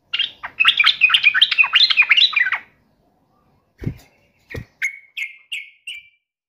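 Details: Yellow-vented bulbul singing in agitated, furious fighting mode: a dense, bubbly chattering burst of quick notes for over two seconds, then two dull knocks, then five short, separate, slurred notes falling in pitch, each one brief and clear.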